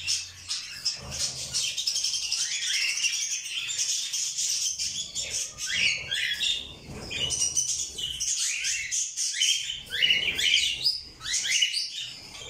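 Cockatiels chatter together in a dense flurry of shrill chirps and short rising whistles.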